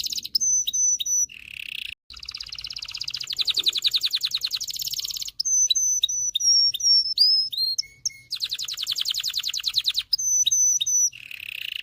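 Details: Canary song meant to train male canaries and excite females for breeding: high rapid trills alternate with repeated sharp whistled notes and short pure tones, phrases changing every few seconds, loud and continuous.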